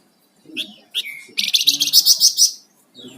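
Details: Flamboyan songbird singing in full, lively voice: a few short high chirps, then a fast run of buzzy, evenly repeated high notes lasting about a second before fading, with a brief low murmur at the end.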